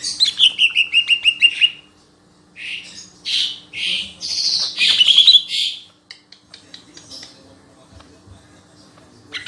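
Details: Lesser green leafbird: a quick series of about ten ringing whistled notes sliding downward, then loud harsh rasping bursts, then near silence with faint chips.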